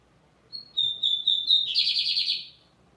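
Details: Firm song of a Lined seedeater: a short series of piercing whistles, then an abrupt switch to a fast, grating buzzy rattle that fades out.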